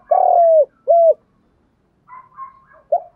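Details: Spotted dove decoy-stimulating call: a long, slightly falling hollow coo and a shorter clipped one, followed by a faint higher warble and the start of another coo.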